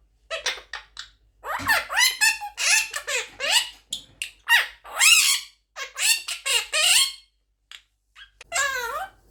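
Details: Quaker parrot aged eleven months producing rapid, high, squeaky talk-like babble indoors, dense runs of wavering bent syllables with short gaps, ending after a brief silence with one more rising-falling squeaky phrase.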